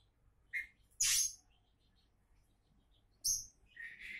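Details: An Oriental magpie-robin, kacer, called a future champion, gives a few separate loud notes: a short whistle, a harsh broad burst and a high clear double note, with quiet between.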